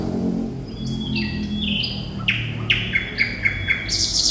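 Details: Thrush nightingale (sikatan londo) singing vigorously. A series of pure whistled notes steps down and up, then dry, loud clicking notes repeat about four times a second.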